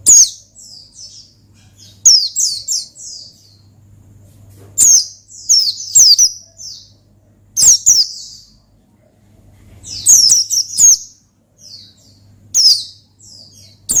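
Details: Oriental white-eye delivering lively 'ngalas' song meant to call out a rival: repeated clusters of piercing high falling whistles and twittery notes over fourteen seconds, with a steady low hum underneath.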